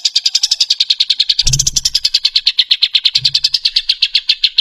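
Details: Bird in the rough rapid-fire tembakan kasar song style, compiled as a tutor recording for cucak ijo and murai batu: a fast, steady run of sharp high notes over about four seconds, with two brief low thumps partway through.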